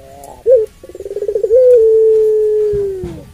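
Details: Puter pelung dove with a long call meant to rouse other doves: a short rising hoot, then a stuttering series of pulsed notes swelling into a drawn-out, level hollow coo that falls away, with faint knocks.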